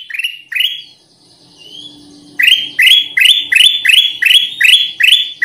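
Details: Black-crested bulbul (kutilang emas) sound used as a lure: a few rising, upslurred notes, a short quiet gap, then a fast run of matching bright upswept notes repeated about two and a half times per second, with a faint low hum underneath.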